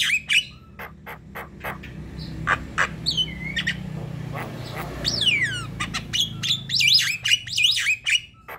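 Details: Javan myna song played as a lure: scattered harsh clicks and squawks over a low background rumble, then a cluster of downslurred whistles and squeaky wavering notes toward the end.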